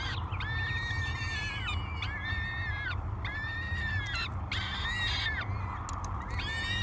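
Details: Three hungry peregrine falcon chicks begging during breakfast feeding at the Great Spirit Bluff nest, 24 May 2022, on a live cam. Drawn-out, harsh, wailing calls rich in harmonics come in repeated bursts with short gaps, over a steady low rumble.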